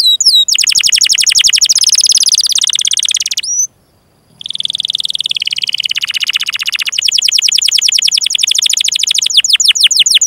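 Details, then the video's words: Prolonged canary song for training young canaries and those that have stopped singing: dense rapid trills, a short pause, a buzzy rolling passage, then fast repeated sweeping notes. "Kenari GACOR PANJANG INI Cocok untuk Masteran KENARI PAUD dan Kenari Macet BUNYI"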